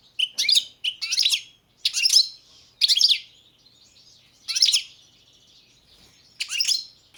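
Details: European goldfinch, subspecies balcanica, giving six short scratchy twittering bursts, each under half a second, separated by uneven pauses of roughly one to two seconds.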